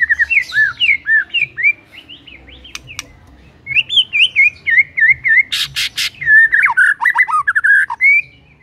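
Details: White-rumped shama pouring out a rich, varied whistled song: fluting notes, slurred rising and falling phrases, a few sharp clicks and a short harsh burst, almost without pause.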